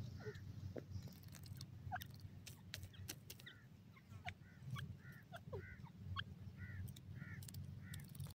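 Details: Francolin, also called partridge or teetar, repeating a short, hoarse, two-part call about every half second in a steady series, with clicks and a constant low background rumble.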